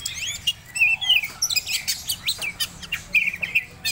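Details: Oriental magpie-robin of the Medan type, in breeding condition, singing a rich varied song of high whistles, sharp upswept notes and quick chattering trills in close bursts, with a low hum underneath.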